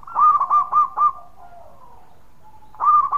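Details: Loud local zebra dove singing very actively: four quick, evenly spaced bubbling coos, a pause with a faint drawn-out tone and soft distant cooing, then the phrase starts again.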